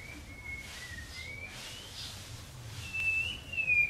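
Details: White-rumped shama singing one long, thin whistle that slowly rises across several seconds, then a louder pure high note and a falling whistle at the end, with soft background hum.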